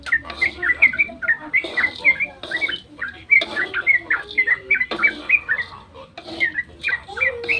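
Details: Yellow-vented bulbul at dawn, used to draw other bulbuls into answering: bursts of quick bubbling whistled notes with short gaps between phrases.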